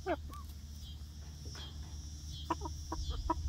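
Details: Young egg-laying hens in a newly built outdoor chicken run on their first day: a sliding chirp, then sparse clucks and short notes near the end, over background hum.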